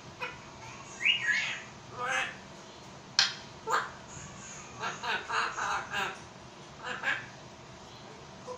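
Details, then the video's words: A pet African grey parrot in Pakistan imitates Urdu and Arabic speech, such as greetings and religious phrases. It speaks in short, nasal, word-like bursts with a rising whistle, repeated through the clip over faint room noise. "Parrot talking in urdu | Talking african grey parrot"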